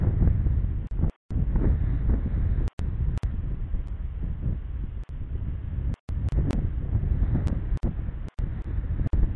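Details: Heavy wind buffeting and low vehicle-like rumble, broken by several brief dropouts to silence, with no animal voice.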